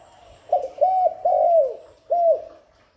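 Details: Spotted dove cooing to lure doves: a quick rising note, two level coos, a long coo slurring downward, then a separate shorter falling coo after a pause.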